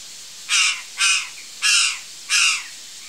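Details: Four loud, rasping, nasal caws from a curl-crested jay among backyard fruit trees, spaced about half a second to a second apart over faint background hiss.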